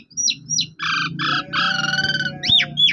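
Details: Asian pied starling singing, meant to coax a mute bird to answer: sharp descending whistles, then harsh buzzy grating phrases and rising-falling slurred whistles, over a steady low background hum.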